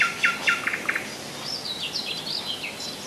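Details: Common nightingale (Luscinia megarhynchos) singing in Rassudovo, about 40 km from Moscow, in July 2011: a few quick sharp notes, then a high, wavering run of rising and falling whistles over faint outdoor hiss.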